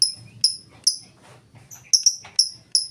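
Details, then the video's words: Lovebird singing full ngetik without ngekek, used as a lure to set other lovebirds singing: about eight high, sharp ticks, some in quick doubled pairs, over faint lower chirping and murmur. "Lovebird full ngetik cocok buat pancingan Lovebird mu!!!"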